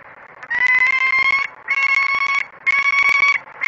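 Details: Female peregrine falcon perched at a nestbox at Great Spirit Bluff, scolding the male who arrives without food, at 06:32 on 28 February 2017: three harsh, nasal, drawn-out wails of about one second each, separated by short pauses, then a fourth begins.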